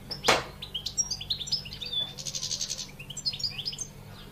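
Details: Caged European goldfinch singing: a sharp opening note, then a fast tinkling stream of high twitters, buzzy trills and chirps, with a low constant hum beneath.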